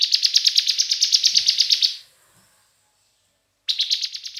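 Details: Song of a bar-winged prinia played as a lure to get other prinias singing. A two-second rush of fast, buzzy chirps fades, a quiet gap follows, and another rapid burst of chirps begins.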